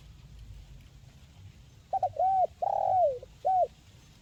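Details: Local tekukur, the spotted dove, calling to prompt silent birds into song: one phrase of a quick double note, a long level coo sliding down at the end, then a short final hoot, over faint low rumble.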